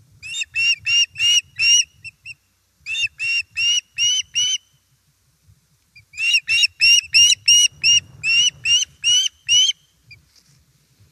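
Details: In Estonia on 1 September 2019, an osprey at the nest greets a fish delivery with three rapid runs of loud, shrill, harmonic whistles, each several seconds long, with brief silent gaps and faint low rustling.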